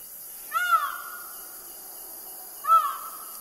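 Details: A feral Indian peafowl in Bushlands, south-east Queensland, gives two loud, nasal, wailing calls about two seconds apart, each with a sharp upward start and a drawn-out, level tail.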